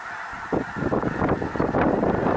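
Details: Snow geese massing by the thousands near Minot, North Dakota: a sudden swell of crowded honking after a quieter half second, continuing as an unbroken chorus.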